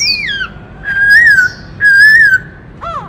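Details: Black-throated laughingthrush singing while dancing, its varied many-voiced song used to rouse other birds. Clear whistled notes: a falling slur, two long wavering whistles near the same pitch, and a short dipping phrase at the end.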